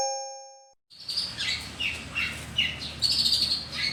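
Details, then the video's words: Long-tailed shrike singing in the morning: a sustained run of varied chirps and short whistled and buzzy notes, high-pitched and tumbling, after two brief steady electronic-like tones at the start. "KICAU BURUNG PENTET PAGI HARI, NAPAS PANJANG"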